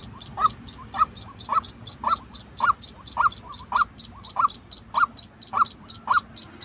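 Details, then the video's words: A real white-breasted waterhen, used to train decoy birds for trapping, repeats short emphatic notes roughly twice a second, about a dozen in a steady series. "tiếng chim quốc thật"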